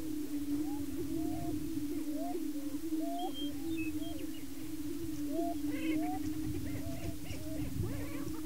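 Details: Male Greater Prairie Chickens displaying and fighting to establish breeding territory on a lek in Washington County, Kansas; a steady low droning hum runs throughout beneath many short rising and falling whoops and yelps, with a few higher cackling notes.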